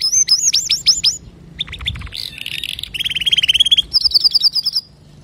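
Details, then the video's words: Male canary singing clear song used to teach young canaries: looping whistled notes, then a buzzy section, a fast even trill and a high rapid rattle, all in quick succession. "تغريد ذكر كناري صافي لتعليم صغار الكناري"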